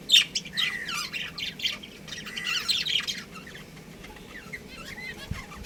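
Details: Lively, continuous chatter from a breeding pair of pet budgerigars: rapid high warbles, squeaky tweets and trills run together for several seconds, then fade to softer, scattered chirps.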